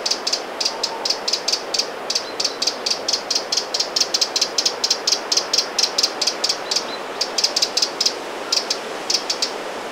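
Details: Eurasian wren alarming on the shore of Sweden's Lake Vänern, end of July 2017. A long, fairly even rattle of hard tick notes runs for ten seconds, thinning to scattered clicks near the end.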